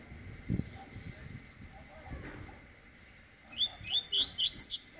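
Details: Eight-month-old double-collared seedeater singing in the tui tui (vibro) style: after quiet background rumble, a burst of five or six sharp, high chirped notes arrives near the end.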